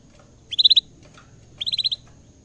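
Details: Caged canary in lively song, reacting to a camera for the first time: two bright bursts of rapid, evenly repeated high notes, about five per burst, separated by a short pause.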